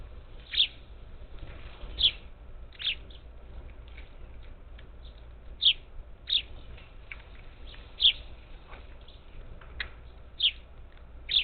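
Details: Parakeets at a Gulf Coast feeder outside Houston, Texas, recorded 27 July 2021; loose series of short, bright, high chirps spaced one to two seconds apart, with fainter calls of other flock members in between.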